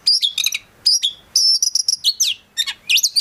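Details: Oriental magpie-robin from a private collection, a prospect bird, pouring out energetic gacor song full of isian: short bright whistled phrases, piercing high notes and quick downslurred chirps separated by brief gaps.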